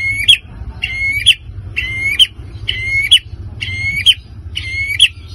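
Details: White-rumped shama song used to provoke other birds: a loud phrase of a rising whistle ending in a sharp harmonic-rich note, repeated about every second, six times, over a low steady hum.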